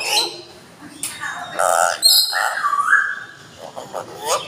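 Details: Pet Amazon parrot recites the kalma, the Islamic declaration of faith, in Arabic for the camera. Its speech-like phrases come in short bursts between pauses, with gliding whistly tones mixed in.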